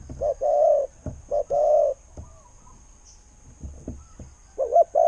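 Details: Spotted dove, a good-voiced decoy bird from Thailand, cooing low and mellow: short broken notes, then long steady coos, repeated in several phrases with quiet gaps and faint low rumble.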